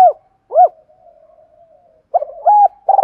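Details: Spotted dove decoy cooing to provoke rival males, "thổ sấm" voice: two arched coos, a faint low hum, then the stuttering start of a new phrase building into a rolling note.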